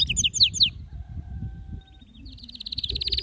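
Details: Male canary's excited song, used to spur other canaries into singing: a few sharp high descending notes, a pause with faint steady tones, then a fast high buzzy trill.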